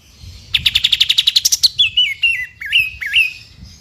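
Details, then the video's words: Caged white-rumped shama (murai batu) used as a training master for 'tembakan' phrases: a rapid burst of about twelve sharp repeated notes, then loud whistled notes slurring up and down in a short sequence, with faint low background rumble. "MASTERAN TEMBAKAN YANG WAJIB MASUK KE ISIAN MURAI BATU JUARA"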